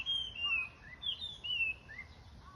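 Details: Birds singing in the morning, clear high whistled phrases that slide downward, a few notes spaced through the passage, with soft low background noise.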